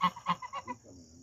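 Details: A 1-year-old male pet Sebastopol goose outside a back porch, "talking" with its owner on 14 September 2022, gives four quick nasal honks, about four per second, fading into a soft low grumble; a steady high hiss runs underneath.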